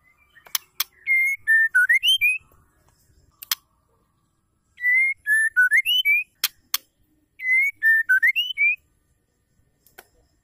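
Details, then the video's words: Female white-rumped shama repeating a call that prompts males to sing: the same whistled phrase three times, about every 3.5 seconds, each a level note followed by notes dipping then rising, with sharp clicks between. "PANCINGAN PENGGACOR MURAI AMPUH TOKCER"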